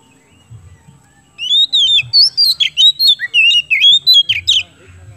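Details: Oriental magpie-robin in full, vigorous song used to encourage other birds to sing: a long phrase of about a dozen clear whistled notes, looping and sliding in pitch, over a soft low background hum.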